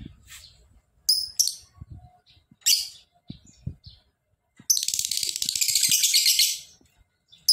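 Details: Lovebird calling in sharp separate chirps, then breaking into a long, dense ngekek trill lasting about two seconds, a fast buzzing chatter; faint low knocks in the background.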